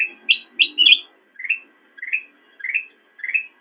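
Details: Black-crested bulbul song from a master recording used for training cage birds: a few sharp high notes open, followed by four evenly spaced rising liquid whistles roughly every half second, background otherwise silent.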